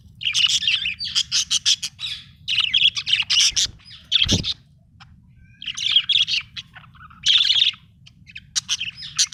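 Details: Happy budgerigar chattering in repeated bursts of quick, high, scratchy chirps and warbles, each lasting about a second, with short gaps and one soft thump midway.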